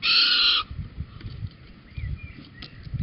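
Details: Little owl (Athene noctua) near Holten, 4 May 2020 at 21:16, as the male brings a cockchafer and the pair leave together: one harsh, hissing half-second screech, then faint rustling and a few thin, distant whistles.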